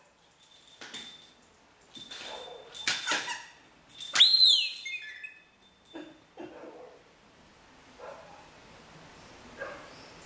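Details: Pet rainbow lorikeet mimicking an R2D2 mobile ringtone, which it did when its bell-ball was rolled: steady high beeps, a quick arching whistle and scratchy bursts, fading into softer gurgles. Brief speech is heard near the end.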